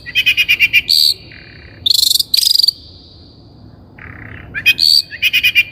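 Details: Long-tailed shrike singing on a lure recording for training untrained captive shrikes: fast chattering bursts of buzzy notes, high sustained whistles and a low nasal phrase, with short pauses between outbursts.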